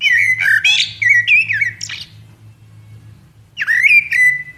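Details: Common blackbird, Turdus merula, delivering loud, rapid warbled whistles and squeaky notes, a pause, then another rising fluty phrase; a constant low hum runs underneath.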